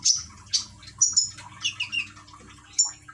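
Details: Common iora in Gresik, East Java, filmed with an Android phone while trickling water plays to encourage a reluctant bird to sing: scattered sharp, very high chirps with a brief lower warbling phrase between them, over faint low background hum.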